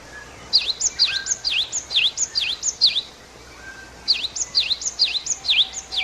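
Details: A Great Tit, a common resident bird, sings bright, ringing two-note phrases, high then dipping, repeated quickly about twice a second in two bursts; faint background hiss.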